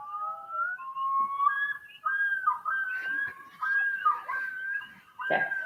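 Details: A male Common Loon's yodel, a distress call given only by males when threatened by predators or people, usually when they have chicks: a long rising wail breaking into repeated, undulating two-note phrases, loud and ringing, with a few faint knocks behind.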